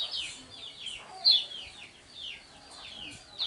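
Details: Lemon-bellied white-eye (kecial kuning) contest bird, ngejos style: faint high whistles sliding downward in short phrases, one louder clipped note early on, low background hiss.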